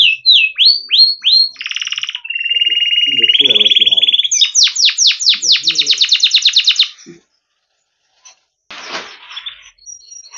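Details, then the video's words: Yellow canary in song: varied whistled phrases, a long buzzy rolling trill, then a rapid series of sharp descending chirps, followed by silence and a brief scratchy burst. "Canary Bird Sound | Yellow Kanari Sound | Canary Bird Song"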